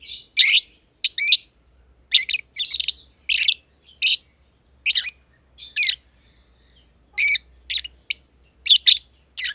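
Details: Pair of lovebirds, green personata and green pied personata, playing in a simple aviary; sharp high-pitched chirps come in short bursts roughly every half second to second, with a faint low hum beneath.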